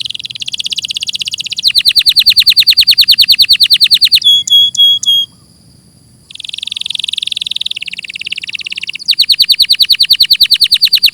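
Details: Long canary song with varied tours: buzzy rolls, fast even trills of falling notes, a few ringing metallic notes, a two-second pause, then more rolled and trilled phrases; clean recording.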